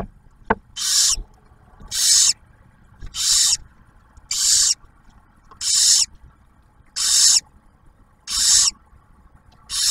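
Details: Barn owls in a nest box at Ottawa National Wildlife Refuge, Ohio, as the male delivers food and the female shares it with the first owlet: eight rasping hisses in a steady rhythm, about one each second.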